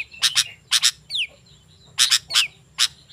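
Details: Sooty-headed bulbul, lure song for wild bulbuls: a few doubled harsh notes, a clean falling whistle, then more paired grating notes and a single final burst.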